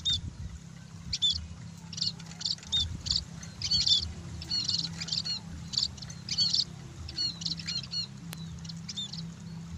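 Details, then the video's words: Scaly-breasted munia basking in sunlight, producing repeated high, squeaky chirps and short whistles in irregular bursts, some doubled, against a steady low mechanical hum. "BURUNG PEKING BERJEMUR"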